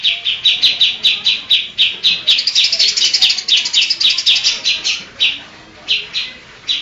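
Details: Greater green leafbird in full, lively song, mixing in copied songs of other birds including kapas tembak, kingfisher, cililin and lovebird. Rapid, evenly spaced high chirping notes about four per second, then a few sparser bursts near the end.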